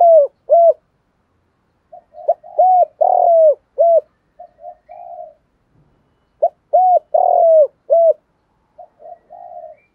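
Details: Spotted dove coo used to stir rival doves to fight; two phrases of repeated hooked coos, each ending in a softer murmur, a quiet gap between them.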